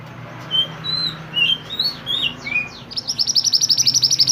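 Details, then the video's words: Pied bushchat (mantenan) in energetic song meant for tutoring songbirds: varied whistled slurs and downward sweeps, then a long fast trill of high repeated chirps, roughly six per second, against a faint low hum. "mantenan gacor burung masteran / chirping sound bird"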